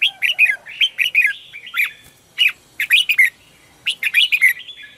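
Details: Red-whiskered bulbul giving morning lure song to call wild birds. Short bubbling phrases of three or four quick, rolling notes repeat with brief pauses, in a clear, lively tone.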